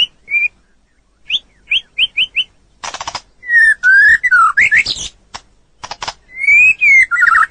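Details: White-rumped shama song recorded to train other birds: short whistled notes in quick groups, then rattling clicks, warbled slurs and long clear whistles.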